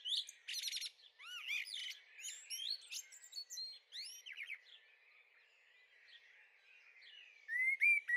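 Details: Young Eurasian blackbird in a garden, 23 May 2013, the second young bird: a busy run of varied high chirps, a quick stuttering burst, then upward-sweeping squeaky notes, quieter mid-section, and a few sharp chips near the end.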